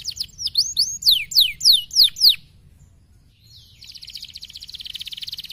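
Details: Canary giving a stimulating song: a quick series of loud, sharply down-slurred whistled notes, about six in two seconds, then a short pause and a soft, fast buzzy trill.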